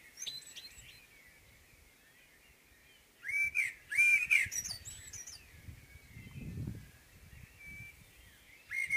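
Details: Common blackbird in morning song, one fluted, looping phrase followed by a squeaky high tail, with a low rumbling noise in the background and a faint start of another phrase at the end.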